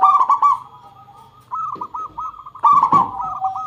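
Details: Lure recording of a local zebra dove singing to draw replies; opens with a loud stuttering cluster, then softer rolling coos, then a brisk run of arched notes and another loud cluster.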